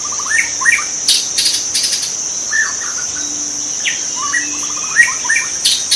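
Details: Wild white-rumped shama in its natural habitat, giving quick bursts of whistled notes and short rapid note series, with sharp clicking sounds and a constant high-pitched insect buzz behind.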